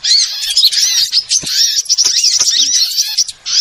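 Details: Small birds in a lure recording used for trapping birds: dense, noisy high chattering with thin rising and falling whistled notes, many callers overlapping almost without pause, with a short quiet gap near the end.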